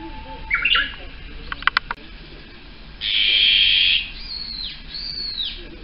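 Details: Japanese bush warbler (uguisu), whose breeding call is heard across Japan from the start of spring: a long, steady whistled note followed by quick arched whistles, with scattered faint chirps and clicks earlier.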